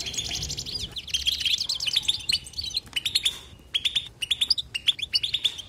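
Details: European goldfinch singing continuously: a fast, busy twittering run at first, then separate liquid chirps, each sliding slightly upward, repeated roughly twice a second toward the end.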